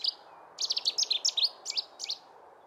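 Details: Cetti's warbler singing in Portugal: one sharp opening note, then a sudden loud, explosive burst of rapid, emphatic notes, about a dozen tumbling over two seconds in quick repeated pairs, against a quiet background.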